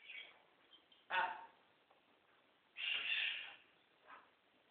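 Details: Male scarlet macaw kept as a pet, playing during special time with its owner, lets out a sharp harsh burst, then a longer grating squawk a couple of seconds later, with a faint shorter call after.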